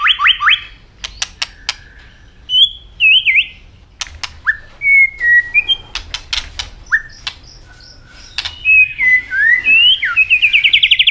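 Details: An Asian robin sings scattered phrases of short whistles and slurred notes between sharp clicking sounds, closing with a rapid, buzzy run of rising notes.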